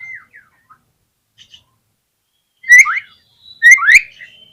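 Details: White-rumped shama song used to get other shamas singing: a faint falling whistle, a quiet gap, then two loud downslurred whistled phrases with a trailing high note.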